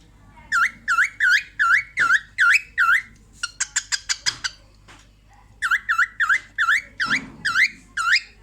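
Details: A female cockatiel, watching herself in a mirror, gives quick runs of hoarse, chirruping notes, about three a second, broken by a burst of fast clicking chatter that sounds like laughing.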